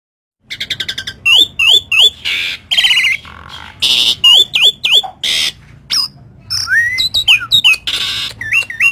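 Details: Loud, busy singing from a Javan pied starling (jalak suren) carrying lovebird mimicry: sharp upslurred whistles and downward-sweeping notes alternating with harsh, noisy screech bursts, delivered in quick irregular series over several seconds.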